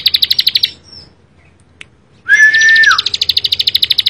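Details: Bar-winged prinia in full song: a rapid metallic trill stops, then after a short silence a harsh slurred whistle leads into another fast, evenly repeated series of buzzy notes.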